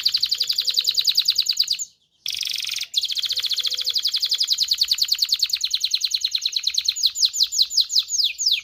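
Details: Canary singing aimed at stimulating mating: a very rapid continuous trill, briefly interrupted, resuming as a rolling series and ending in slower falling sweeps.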